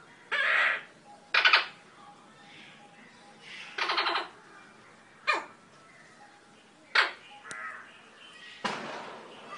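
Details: An eclectus parrot at home in Nawalapitiya, Sri Lanka, gives six or seven harsh, raspy, honking squawks at irregular intervals of one to two seconds, against a quiet background.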